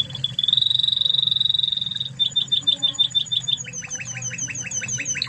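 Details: Spanish Timbrado canary of Spanish origin singing a master song for other canaries: a smooth high rolling trill, then a series of separate pulsed notes, then quick falling chirps, all over a faint low hum.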